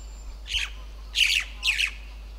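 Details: A jungle myna in the middle Himalaya, its first record at this altitude, gives three harsh, grating squawks, each under half a second, spaced irregularly over about two seconds, with a faint low hum behind.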